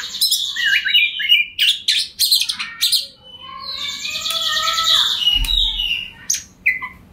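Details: Kacer, or Oriental magpie-robin, singing ngobra-style to bait a rival: staccato whistled notes in quick groups, a long drawn scratchy warble in the middle, a brief low thump, then more clipped whistles.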